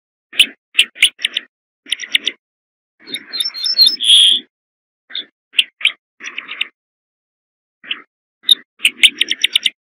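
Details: Corn bunting in repeated song: clusters of sharp ticking notes, a jingling run ending in a long bright tone near the middle, then further stuttering tick series.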